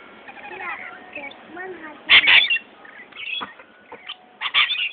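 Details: Several rainbow lorikeets fighting over spilt ice cream: harsh, screechy bursts of squabbling calls, two loud clusters separated by quieter chatter, with a child's voice nearby.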